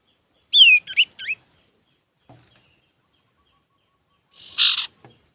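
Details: Male common iora in lively song used to provoke other birds: a falling whistle followed by two short slurred notes, a pause, then a single harsh, buzzy burst.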